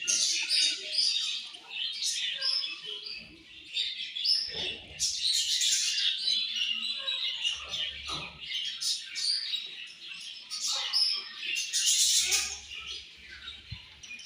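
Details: Budgerigars in a colony at morning food time, busy overlapping high chirps and squawky warbles for the whole stretch, occasional sharper loud bursts, faint low thumps.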